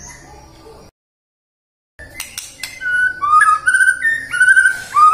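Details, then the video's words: Prompting song of a white-rumped shama for morning, midday and afternoon: after a short silence, sharp clicks lead into clear whistled phrases that rise and fall in a looping pattern. "PANCINGAN MURAI BATU AGAR BUNYI PAGI, SIANG DAN SORE HARI"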